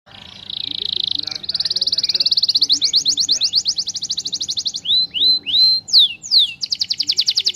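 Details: Canary song used as a lure to prompt other canaries to sing back: high rapid trills, a buzzy run speeding into fast repeated notes, then loud downward-sweeping whistles and a closing rapid trill.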